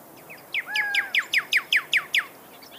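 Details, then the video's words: Desert cardinal (pyrrhuloxia), a western North American songbird, delivering a rapid run of about eight loud, slurred, down-swept whistles at an even pace, with a long level whistle and a fainter lower tone beneath the first notes. "Pyrrhuxolia Sound Bird Song"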